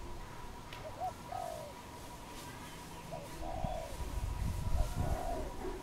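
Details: Wild dove in Cambodia, recorded April 2020: a few soft, low, arched coos, each a smooth hooting note, spaced irregularly over a rumbling background with a steady faint hum.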